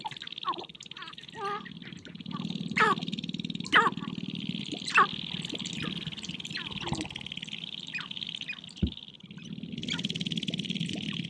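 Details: Dancing and fighting sharp-tailed grouse at a spring prairie hilltop display ground, courting females: scattered sharp squawks, clucks and chatter at uneven intervals, with a steady high background hum and one dull thump.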